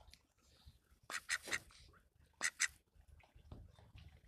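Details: Call duck on 15 January 2021 giving two short bursts of quick, raspy quacks, three then two, separated by a pause, against soft low background noise.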